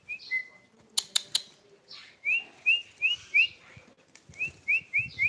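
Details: Whistled phrases from a tame Sooty-headed bulbul: a brief opening note, a few sharp clicks, then a steady series of short rising whistles, about three per second, in two bursts.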